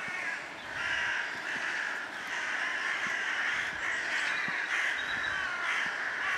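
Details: Crows giving a run of harsh, hoarse caws in steady succession, about one every second or so, loud against a constant hiss of outdoor noise.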